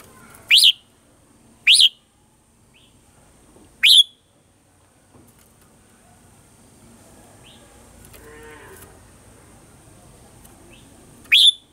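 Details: Red-whiskered bulbul singing a morning song in the 'old forest voice' style, used as a lure for voice training: four sharp, rising whistled phrases, spaced unevenly over several seconds, with faint background noise in the pauses.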